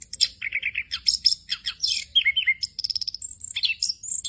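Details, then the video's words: Orange-headed thrush singing in the rolling 'ngerol' style with many inserted phrases, for tutoring other birds. A quick sequence of repeated short notes, wavy slurs, an even rapid trill, then thin high whistles closes the phrase. "ANIS KEMBANG NGEROL FULL ISIAN"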